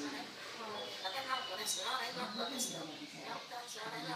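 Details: A pet parrot talking, its voice said to sound like a radio: continuous speech-like chatter of short, shifting syllables with high, thin overtones.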